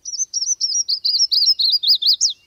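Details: Yellow-throated Warbler of southeastern US pines, sycamores and bald cypress swamps, in spring: a melodic, bouncy run of about a dozen clear, slurred whistles descending gradually in pitch, then flicking sharply upward at the end.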